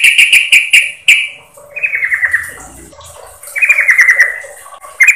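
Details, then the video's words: Female yellow-vented bulbul calling to the male, used as a lure sound: bright chattering phrases of rapid notes that slide downward, the first two bursts close together, then a quieter gap with soft low rumbling before a longer burst. "Suara Pikat Burung Trucukan Betina Memanggil Jantan"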